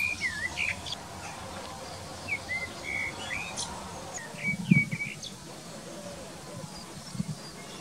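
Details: Common Blackbird singing in a garden during nesting season, while the female incubates nearby: soft, fluty whistled phrases with short twittery notes in brief bursts a second or two apart; a man's voice speaks quietly over part of it.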